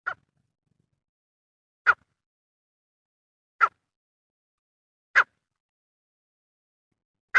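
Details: Grey francolin, a male, calling in a recording used for hunting; five brief sharp notes at a steady mid pitch come roughly every one and a half seconds against a silent background.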